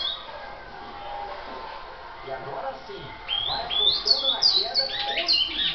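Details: Great-billed seed finch, a brown (pardo) bicudo, starting after a quiet noisy lead-in with a rapid run of clear whistled slurs, rising and falling notes repeated about three per second.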